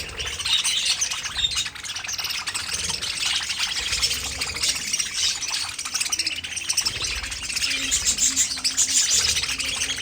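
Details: Aviary of pet budgerigars: a constant high twittering chorus from many birds, with a few clearer whistled notes standing out near the end.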